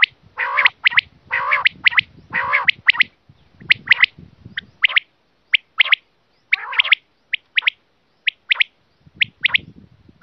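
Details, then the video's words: Hunting lure of quail: several harsh, nasal, rasping bursts each followed by sharp high clipped notes, then a long series of single and paired sharp notes spaced about a second apart. "The quail's voice to catch"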